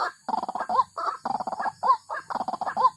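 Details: A white-breasted waterhen (Amaurornis phoenicurus), a swamp dweller, gives harsh, croaking grunts in quick bursts, each phrase ending in a short upturned note, repeated about once a second.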